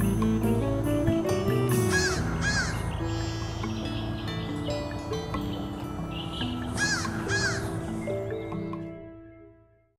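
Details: Crows high up in a tree, grooming themselves, give a few harsh, rasping caws in separated bursts, heard over continuous background music before the sound fades out at the end.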